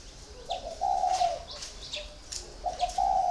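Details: Four-year caged spotted dove with low, round cooing notes, one long phrase then another after a pause, while other birds add quick high chirps and tweets.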